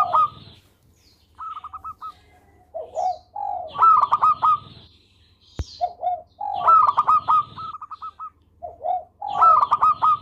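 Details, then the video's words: A local zebra dove in full song, melodious and kept as a master for training birds. Repeated cycles of soft low purrs lead into loud, rapid staccato coos, with one sharp click midway. "Perkutut Lokal Gacor Suara Merdu Buat Masteran"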